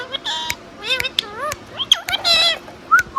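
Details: Indian ringneck parakeet kept as a pet, talking: harmonic-rich, speech-like syllables with bending pitch, delivered in quick bursts, broken by a few sharp clicks and a short whistled note at the end.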